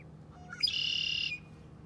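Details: Gosling giving a single loud, steady high whistled peep lasting well over half a second, with faint softer peeps just before it against a low background hum.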